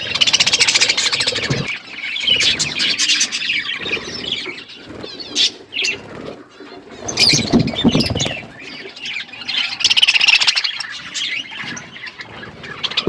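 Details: Several pet budgerigars eating and chirping, bursts of squeaky chatter alternating with louder rustling, scratching and wing flutters, the calling fading briefly mid-way before resuming.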